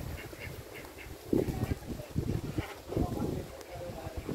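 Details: Several ducks calling as they forage and play in a river: quick, high nasal notes at first, then louder, rougher quacks in bursts, over a constant low background rumble.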